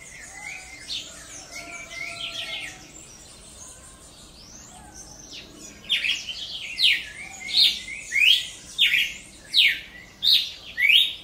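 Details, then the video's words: A Paroaria cardinal sings in the wild. The first half holds softer, mixed chirping. About halfway through, strong sweeping whistled notes begin and repeat roughly every 0.7 seconds until the end. "Cardeal cantando na natureza"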